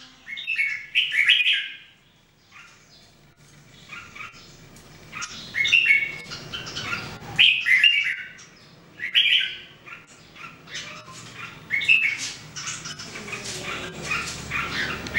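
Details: Three Red-whiskered Bulbuls practising their song every day give scattered bursts of chirpy warbling across the recording, with short quiet gaps and some faint clatter.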